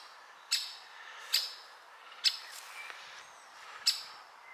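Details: Woodpecker chick in its nest giving sharp, short, high clicking notes, five in all, spaced roughly a second apart at an irregular pace, with a faint softer note between them over a quiet background.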